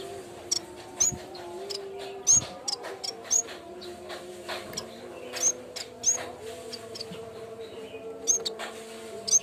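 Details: Cikrak bambu, the yellow-bellied warbler, in a lure recording for training: frequent thin, high chirps and short ticking notes scattered irregularly, with a continuous low droning hum beneath.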